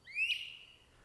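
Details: A Great Crested Flycatcher near its nest box at dusk gives one loud, rising whistled wheep that holds briefly at the top, then trails off, over faint background hum.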